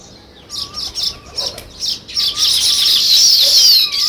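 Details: Sparrow chirps come in short bursts about four times a second, building into a dense twittering chorus, while a lower soft whistled note repeats in the background.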